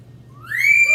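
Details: Pet macaw giving a single clear whistle that starts low and sweeps upward, then holds steady on a bright, ringing pitch for about half a second; a faint low hum behind it.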